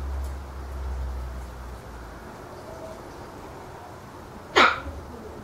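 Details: Eclectus parrot (Eclectus roratus), one of a pair during courtship preliminaries, 19 January 2014, indoors: a single loud, harsh squawk near the end after several seconds of low indoor hum and quiet background.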